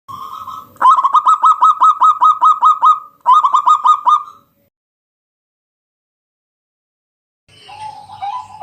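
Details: Bangkok-type zebra dove singing a loud night-time lure song meant to draw other doves into singing: rapid runs of short staccato cooing notes in two bursts, then silence and a softer hum.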